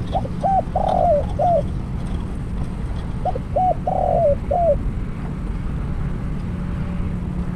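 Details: Spotted dove kept for decoy trapping, calling after catching its first wild bird: two identical phrases of short coos, a long burry descending coo and a downslurred finish, about three seconds apart.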